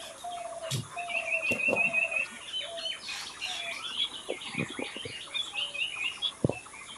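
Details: Several wild birds singing and chirping outdoors in nature, with overlapping high twittering notes and short bright chirps, a brief trilled phrase near the start, and occasional low thumps in the background.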